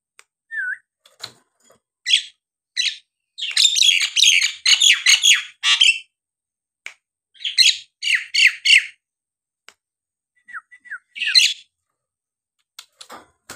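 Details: A Nias hill myna sings at length to rouse quiet mynas into singing: a long, irregular bout of loud harsh chatter and squawks, later a few short downslurred whistles.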